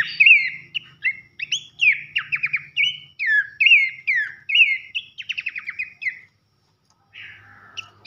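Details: Horsfield's babbler (pelanduk semak) in a loud nembak nyiul style, used as a tutor recording for contest songbirds: bright slurred whistles and rapid buzzy trills, phrase after phrase, briefly pausing near the end, with a faint low hum beneath.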